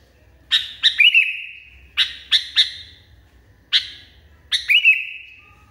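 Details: Excited Sooty-headed Bulbul delivering loud clusters of two or three piercing chirps, the last note stretching into a sliding, descending whistle; phrases come in quick succession with brief pauses.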